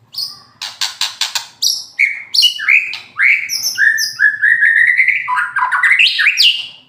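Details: Moulting white-rumped shama singing in aggressive fighter 'kretekan' style: sharp staccato clicks opening into a rich, rapid stream of varied whistles, slurred upward and downward notes, nearly continuous and loud.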